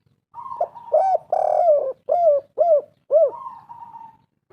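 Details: Spotted dove cooing, used as a lure to draw other doves into calling: a series of short arched coos, about two per second, with one longer drawn-out coo and a thin steady whistled tone at the start and end.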